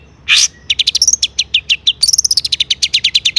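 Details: Long-tailed shrike pouring out varied borrowed phrases, used as a lure for other shrikes: a single harsh rasp, then quick rhythmic chips and high whistles, speeding into an even trill-like run.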